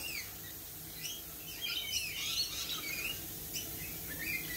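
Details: A flock of lorikeets keeps up dense, high-pitched twittering, with rapid short chirps and squeaks that crowd together and grow louder midway through.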